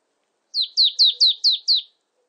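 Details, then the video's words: Six rapid, high downslurred notes from a marsh tit, delivered evenly in a single short burst, with only a faint low murmur in the background. "쇠박새, 여러번 듣기, 곤충소리, 새소리"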